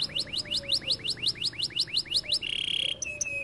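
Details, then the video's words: Repeated rising chirps from a canary, about four a second, followed by a sustained high warbling tone and a brief clear whistle. "The canary sings beautifully"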